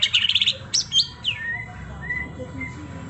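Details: White-rumped shama in trontolan ngeroll song style: a burst of rapid high chirps, then sharp slurred whistles and a few thin, drawn-out whistled notes fading over a low background hum.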